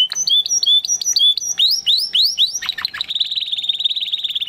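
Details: Spanish Timbrado canary from 2020 breeding, training song: repeated looping whistles, then quick upward-sweeping notes and a fast, dense buzzy trill sustained to the end.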